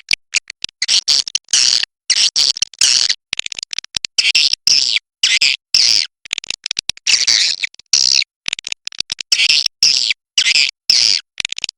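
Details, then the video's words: Swiftlets at the roost giving rapid, dry, very high clicking twitters in clustered bursts, a scratchy chattering that repeats unevenly throughout with brief silent breaks. "SUARA BURUNG WALET INAP SELAMANYA"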